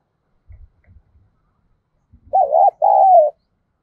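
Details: Lure spotted dove cooing to attract wild doves; a few faint low thumps come first, then one clear two-part coo with a quavering first note and a long, slowly falling second note.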